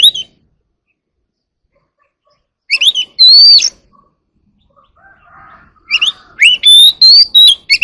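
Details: Oriental magpie-robin singing early in the morning: loud, clear whistled phrases with sweeping slurred notes and quick chattering flourishes, delivered in bursts separated by a few seconds of silence, with a soft low chatter between phrases.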